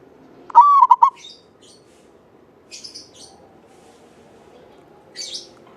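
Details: Zebra dove of a local Javanese strain, an active singer with a long, clear voice, used to set other doves singing. It gives a single mellow phrase, a sliding note and then rapid stuttered coos, followed by scattered faint high chirps.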